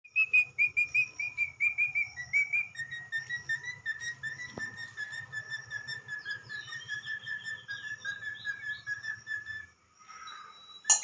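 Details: Pet talking parrot (Mitthu) whistles a tune: clear notes stepping down in pitch, then a fast, even run of high whistles, over a low mechanical hum.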